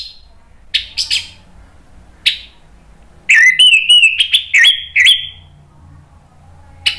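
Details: Caged Orange-headed thrush, played to get another bird singing: scattered harsh notes, then a burst of clear rising and falling whistles and quick twitters, ending with isolated short calls.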